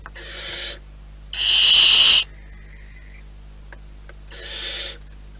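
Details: Inside a wild barn owl nest, a soft hiss, then one loud, harsh screech followed by a thin, faint drawn-out tone, and later another softer breathy hiss after a quiet pause.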